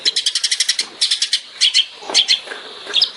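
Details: Master recording of a long-tailed shrike singing in the tembakan style for training songbirds. A quick run of about ten staccato high notes opens, followed by scratchy chattering phrases and sharp whistled accents.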